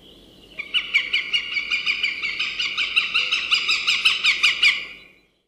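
A Northern Goshawk gives a harsh, nasal chattering series of about sixteen rapid, even notes over four seconds, with a quiet background.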